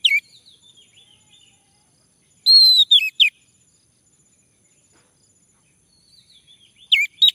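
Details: Male orange-headed thrush, song used as a prompt to sing: short bursts of sliding whistles and quick chirps, separated by pauses of several seconds, with soft faint twittering between phrases.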